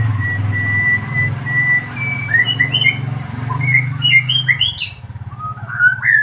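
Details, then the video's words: White-rumped shama, captive-bred, singing a string of thin whistles and quick rising and falling slurred notes over a steady low engine-like hum. "murai batu lepas trotol gacor dorr"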